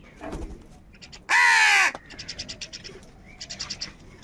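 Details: Crows quarrelling over food in the morning give a single long, grating caw, loud and drawn out, followed by bursts of quick, high chirps from smaller birds.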